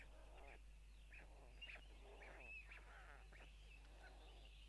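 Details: Parents drop food for chicks at a white stork nest in Tukums, Latvia, June 12, 2022, 04:54; a series of short, wavering mewing calls, some with brief upward flicks, with scattered clicks and a low steady hum.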